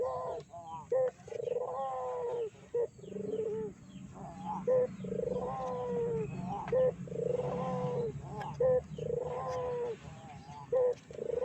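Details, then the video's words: Dove calling as a lure to rile up other doves. Rounded, mellow coos, slightly rising then level, repeat roughly every two seconds, each followed by a brief clipped accent note, over a low steady background murmur. "PANCINGAN BURUNG PUTER GACOR!!! BURUNG PUTER MANA SAJA PASTI EMOSI"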